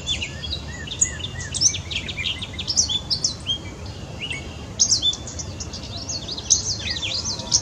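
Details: A gray catbird pours out a continuous jumbled song of scratchy chirps, squeaks and short slurred whistles at high pitch, notes tumbling several per second without a fixed pattern, over a low background rumble.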